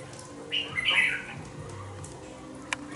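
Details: Caged young red-whiskered bulbul, two months old, sings a single brief warbling phrase of bright slurred notes near the middle. A click follows later over a quiet, humming background.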